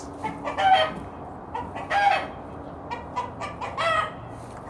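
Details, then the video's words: Rooster's alarm signal on seeing a hawk or other danger, warning hens to hide: four harsh, buzzy bursts, each under a second, spaced irregularly about a second apart over a low background murmur. "Rooster Signal noise if there is hawk or danger"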